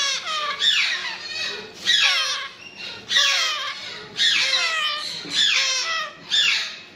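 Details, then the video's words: Grey parrot chicks give harsh, wavering, whiny begging cries in bursts about every second or so, rising and falling like a sobbing infant, indoors. "Grey parrot chicks"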